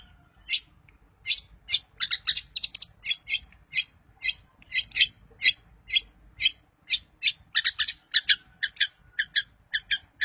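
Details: Daput-type long-tailed shrike song meant to stir other shrikes into singing, made of harsh, scratchy chattering notes repeated about twice a second in irregular runs and dense clusters.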